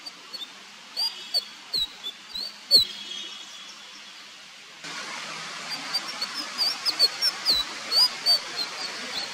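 Indigo flycatcher giving thin, very high chirps and squeaky flicks, spaced irregularly about every half second, over steady background hiss.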